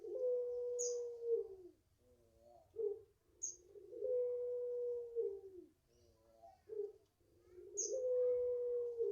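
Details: Home-raised five-month-old puter pelung Barbary dove repeats a cycle roughly every four seconds: a long flat coo, then a couple of short gruff notes. Thin high chirps sound in the background.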